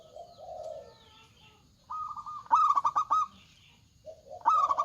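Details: Zebra doves, male and female, calling back and forth: a soft low coo, then a level trill, then a loud run of quick clipped cooing notes, with another phrase starting at the end.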